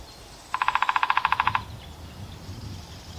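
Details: Downy woodpecker in spring in Vancouver: a fast, even descending-free rattle of about fifteen sharp notes lasting one second, followed by quiet ambient outdoor noise with low rumble.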